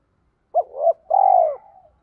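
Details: Spotted dove coo, part of a 'thúc' calling voice meant to stimulate wild-caught doves. One short note swelling into a soft second, then a sustained, slightly vibrating coo that falls away at the end.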